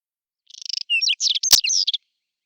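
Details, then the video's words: Singing Whinchat in April 2020, spring, on a Nikon Coolpix P1000: a fast ticking rattle leading into a tight jumble of scratchy and whistled notes, with one sharp click partway through. "Il canto degli uccelli del bosco: Stiaccino (Saxicola rubetra)"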